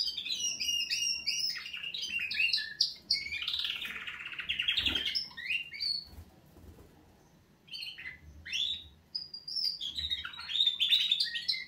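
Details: Wake-up song from canaries: fast repeated chip-like trills lead into a buzzy rolling passage, then a pause before sweeping whistled phrases return.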